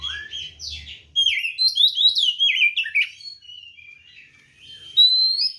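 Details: Kacer, the white-rumped shama, in aggressive ngeplong tarung song to trigger other birds: a continuous tumble of fast whistles, chattery slurs and high-pitched trills, ending on a rising thin note.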